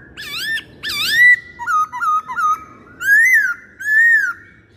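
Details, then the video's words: Masked laughingthrush pancingan (lure) song: two looping whistles, a trio of short wavering notes, then two long rising-and-falling whistled phrases, clear and loud against a quiet background. "Pancingan Poksay Hongkong"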